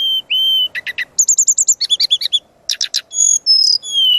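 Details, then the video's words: Brown-chested jungle flycatcher lure and training song, full and varied: long high whistles, rapid chirp runs, trilled phrases and buzzy high notes follow one another without pause. "Suara Pancingan dan Masteran burung Srdc gacor full isian"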